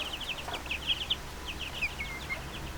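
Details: Brief burst of chicks cheeping, a few high thin peeps and a short level whistle over a low background hum.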